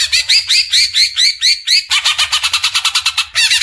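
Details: Greater green leafbird in besetan, recorded as tutor song for caged birds: repeated harsh upslurred chirps about every quarter second, then a rapid dense rattle and a final buzzy phrase.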